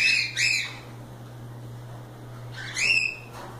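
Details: Cockatiels loose and playing, two rising harmonic contact calls at the start and another pair near the end, separated by a quiet gap with a constant low hum.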